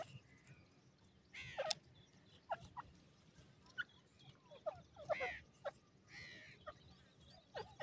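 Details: Francolin chicks, called bhouray teetar, being fed: short harmonic calls, some rising then falling, scattered irregularly among quick clicks and taps, with a few louder drawn-out cries near the middle against a low steady background hum.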